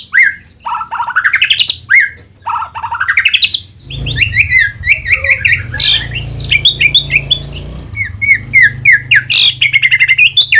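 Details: White-rumped shama lure song, intended to provoke vigorous singing. Repeated rising trills open the passage, followed by dense, varied chattering phrases over a steady low hum.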